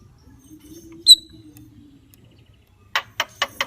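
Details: Javan myna giving one bright high whistle, then a pause and four quick harsh rasping notes in a row.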